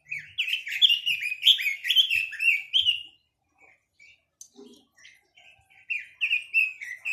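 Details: Chinese hwamei delivering a brisk string of loud, clear whistles and rich slurred phrases for about three seconds, a quiet gap with a few soft notes, then another lively burst of whistled song.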